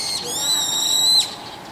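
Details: In the evening, a brown-eared bulbul calling on a roof gives one shrill, drawn-out whistled note that rises slightly, holds steady for about a second, then cuts off sharply.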